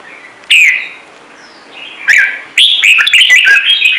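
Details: Red-whiskered bulbul singing in the Trung Mang style, an ornamental bird: a sharp whistled note, a quiet gap, then a rapid run of bright, warbling, rising and falling phrases near the end.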